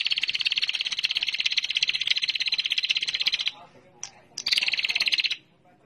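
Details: Chattering 'ngetir' lure call of a female bar-winged prinia, used to stimulate singing: a long, rapid, buzzy trill of about three and a half seconds, a brief pause with one sharp chip, then a shorter trill.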